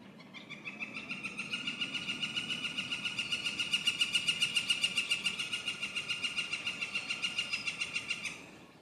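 A Yellow-shafted Northern Flicker gives a long, fast series of loud, ringing 'kee-kee-kee' notes. The notes run evenly for about eight seconds, swelling and then fading.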